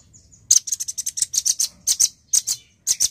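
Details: Male nuthatch singing actively: a quick run of sharp, very high chipping notes, some single and some paired, tumbling irregularly after a brief quiet start, with a faint thin whistle beforehand.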